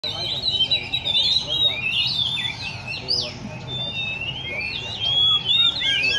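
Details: Caged Oriental magpie-robins at a bird cafe in Le Thi Rieng park, singing varied whistled phrases with several birds overlapping, over constant background chatter and noise.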